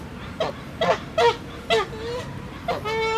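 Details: Canada geese arguing and fighting within their flock, charging at each other: five short nasal honks with rich harmonics spaced roughly every half second, then a longer drawn-out honk near the end.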